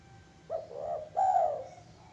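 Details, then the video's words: Zebra dove song made of two mellow coo phrases, the second louder and longer with a wavering tone, over a faint low background hum. "suara gaib perkutut bikin merinding"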